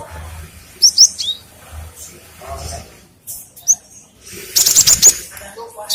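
Cinereous tit giving high, thin chirping notes in short bursts, with a quick run of sharp notes near the end over a faint low hum.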